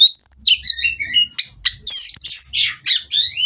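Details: Captive-bred Oriental magpie-robin singing a rich, varied phrase: clear whistled notes, some long and steady, mixed with quick rising slurs and sharp chirps, with short gaps between bursts.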